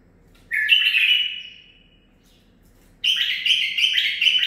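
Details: Nine-month-old male bulbul bred in captivity sings two zilzal phrases: a loud rising burst trailing into a fading whistle, silence, then a choppier phrase of rapid repeated notes.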